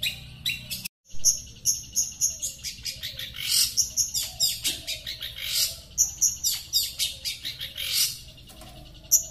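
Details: Long-tailed shrike kept as a songbird, originating from Sepudi Island, delivers a fast, varied chattering song of high whistles, buzzy notes and rapid chirps after a brief silent gap, with a soft low rumble beneath.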